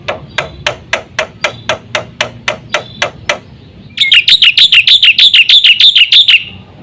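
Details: Black-winged myna singing in a full lure song for other mynas. About fifteen dry tapping clicks, evenly spaced, are followed by a loud rapid run of high, buzzy, repeated chattering notes.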